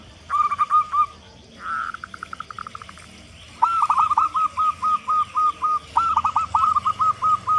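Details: A big-voiced local zebra dove kept as a lure for prompting doves to call: a short burst of coos, a quick trilled run, a pause, then two long series of rapid staccato cooing notes.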